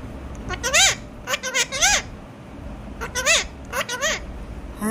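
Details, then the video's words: Alexandrine parakeet talking. Several loud, rising-then-falling nasal utterances come in two bursts, with brief pauses between them and a steady background hiss. "চন্দনা টিয়া পাখির কথা শোনো"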